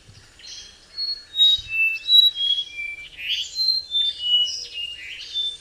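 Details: Non-migratory brown-throated wattle-eye encountered on a journey: a lively series of pure, music-like whistles stepping up and down in pitch, roughly three per second, with near-silent surroundings.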